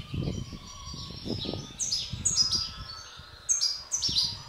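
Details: Captive-bred European goldfinch mutations from the 2016 breeding season give high, thin chirps and short twittering phrases in bursts. Low rumbling background noise sits underneath throughout.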